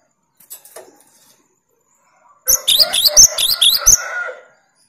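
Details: 'Tembakan' burst from a cinereous tit aimed at rival birds: after a few soft notes, a loud rapid string of about seven piercing, down-slurred chirps lasting some two seconds, then quiet.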